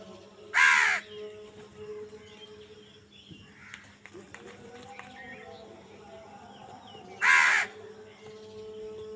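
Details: Crow calling while fighting over food: a pair of loud, hoarse caws roughly seven seconds apart, separated by quieter chatter of small birds and a constant hum.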